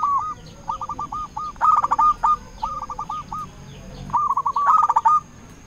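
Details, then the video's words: Calling to rivals, a local zebra dove repeats short phrases of quick coo notes, several bursts close together, with a steady high electrical hum behind. "Perkutut lokal gacor RAJA PIKAT memanggil lawan sekali dengar bikin semua perkutut nyaut"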